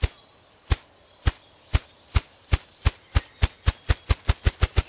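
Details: Male ruffed grouse drumming on a rock near Frederic, Wisconsin: deep, muffled wing thumps that start about half a second apart and speed into a quickening roll, over a faint steady high hiss.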